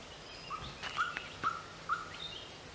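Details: Greater racket-tailed drongo producing clear mid-pitched whistled notes repeated about every half second, mixed with sharp clicks and a few higher notes, over light background noise.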